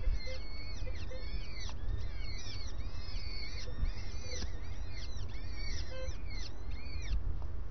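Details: Starling calling at breakfast: dense, overlapping whistles arching up and down, pouring out almost without pause, over a constant low background rumble.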